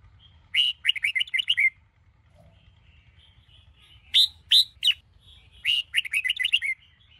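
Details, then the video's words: Red-whiskered bulbul of the Sông Kôn singing style in a morning song training recording: three bright chattering phrases of quick rising and falling whistled notes, each about a second long, with short clipped notes between them over a faint low hum. "Chào Mào Sông Kôn - Luyện Giọng Hót Hay | Luyện Chào Mào Bổi Hót Sáng"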